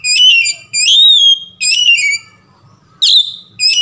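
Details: Oriental magpie-robin giving a calm lure song to prompt another magpie-robin to sing: four loud, pure whistled phrases, mostly level or gently falling, the last one opening with a sharp rising note, with brief silences between.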